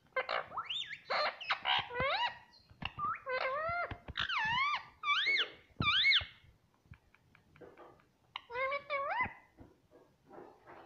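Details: Green ring-necked parrot kept as a pet, repeating "mummy" indoors: a fast run of clipped syllables and looping, rising-falling harmonic notes, pausing midway before a shorter burst.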